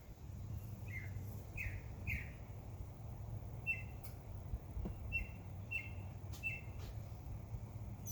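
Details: Backyard birds in summer giving short, faint chirps in small clusters of two or three notes, set against a steady low rumble of background noise.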